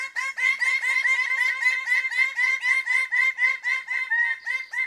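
Greater bird-of-paradise giving loud, nasal, harsh notes in a rapid steady series, about four per second, with no other sounds.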